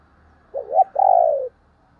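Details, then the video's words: Decoy spotted dove calling to lure wild doves: two quick, low, hollow notes followed by one drawn-out coo that slowly slides downward, in an otherwise quiet setting. "chim cu gáy kích bổi mới"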